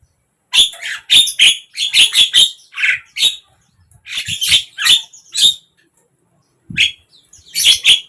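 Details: Morning, midday and evening singing of a Javan myna: clusters of loud, raspy squawks and squeaks spaced by silences, with a longer pause before a final burst.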